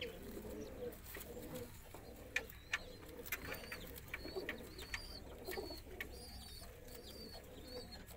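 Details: Low murmuring coos of a roller pigeon, joined by sharp, repeated high chirps from small birds and scattered clicks over a steady background hum.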